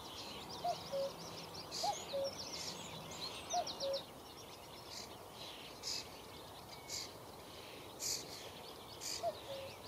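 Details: Common cuckoo on a sunny May morning in Achterveld, Netherlands, giving four two-note cu-coo calls, spaced irregularly, against busy high-pitched chatter of other birds.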